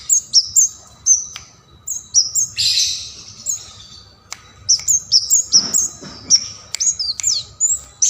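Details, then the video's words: Bar-winged prinia in energetic song for songbird training: quick high chirps and whistles, a rough buzzy phrase near the third second, then an accelerating series of sharp notes with faint clicks in between. "Kemade Keres Gacor cocok untuk Pancingan dan Masteran Burung Kicau Mania"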